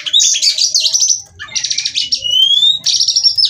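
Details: Female white-rumped shama singing as a singing stimulus: three bursts of rapid chattering notes, the middle one ending in a long, smooth rising whistle.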